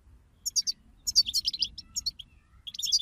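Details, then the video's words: European goldfinch group song, played to stimulate a goldfinch to sing: bursts of bright, tinkling, high twittering notes in quick runs separated by short pauses, over a faint low hum. "أخرج حسونك من صمته واكتشف التغاريد المخفية لديه"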